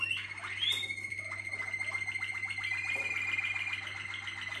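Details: Waterslager canary, also called Malinois, holds a long sustained rolling trill at a steady pitch after a brief gliding whistle, the rapid pulses running unbroken; soft background hum.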